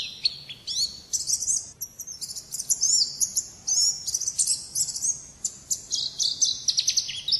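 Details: Wild-type 'ngalas' song of an Oriental white-eye, known locally as pleci: a dense, unbroken stream of shrill high twitters and rapid slurred notes, with hardly any pauses throughout.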